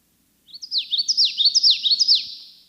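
A Common Yellowthroat sings a quick run of four rolling 'witchety' phrases in two seconds, each high and ending in a sharp downslur, over a quiet background.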